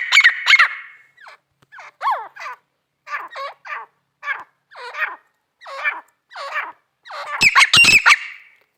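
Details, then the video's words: Female grey francolin calling: a run of shrill, squeaky notes, each a short broken cluster, repeated roughly every half second, ending in a louder harsh burst of rasping notes. "female teetar ki awaz"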